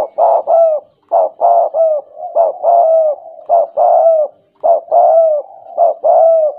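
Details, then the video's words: Loud, close cooing of a tame spotted dove (tekukur) in the stuttering 'gagap' manner: paired and tripled husky notes, each dipping in pitch, repeated in tight bursts about every second. "Suara tekukur,, gagap jinak dan gaccor..."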